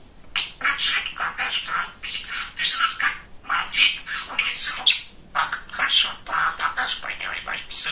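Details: Talkative male pet budgerigar indoors, chattering in quick speech-like bursts with squawky warbles and high chirps, broken by short gaps, in a small room.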